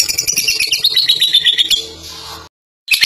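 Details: Fighter lovebird in captivity giving a burst of ngekek song, fast shrill chattering for under two seconds, fading into quieter noise before a short silence and a final chirp.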